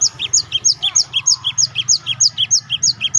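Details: A cinereous tit sings a fast, ringing two-note phrase, high then lower, about three times a second over a faint low hum; a lure recording to get other tits singing.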